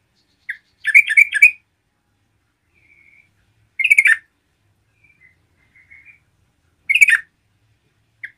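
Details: Yellow-vented bulbul singing actively, intended to provoke rival bulbuls: bubbly, gurgling phrases roughly every three seconds, separated by quiet faint whistles.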